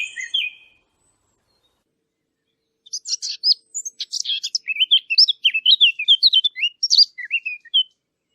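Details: A short tweet opens, then two seconds of silence, then a fast run of sharp chirps and twittering notes that continues steadily to the end.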